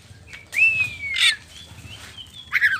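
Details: Oriental magpie-robin of the poci form, singing loudly as a lure to draw other birds into answering: a long whistled note sliding gently downward, then a burst of sharp, bright notes, over a low rumbling background.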